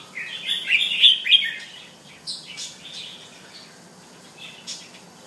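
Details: Bulbul kept at home, singing a rich, fast warbled phrase of bright chirps at the start, followed by scattered softer single notes over a faint background hiss.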